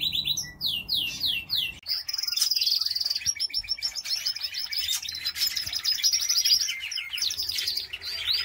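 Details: Canaries kept in a home aviary: bright, high trilled song opening with quick falling whistled notes, then long rapid rattling rolls and chirpy phrases, loud and continuous throughout.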